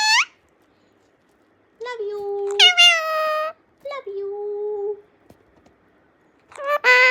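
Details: A pet ring-necked parakeet talks in a squeaky, nasal voice with short word-like phrases such as "mummy" and "cute", separated by brief pauses, and gives a shrill squawk near the end.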